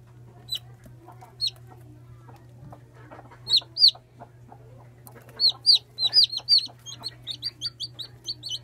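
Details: One-day-old chicks: thin, high downward-slurred peeps, at first single and spaced, then coming faster in quick runs toward the end, over a faint low hum.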